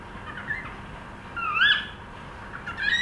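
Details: A cockatiel trying to sing, giving a few thin whistled notes, one rising and then falling sharply, over a steady low background hiss.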